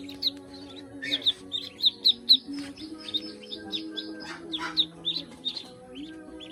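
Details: High, thin peeping from a group of farm ducklings in the Philippines, short chirps repeated in clusters with brief louder notes, while gentle music plays low beneath.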